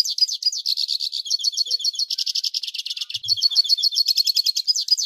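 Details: Hooded siskin from Brazil in metallic song used for tutoring young birds: a fast, continuous high twittering of rapid chirps and trills, with no pauses, over a quiet background.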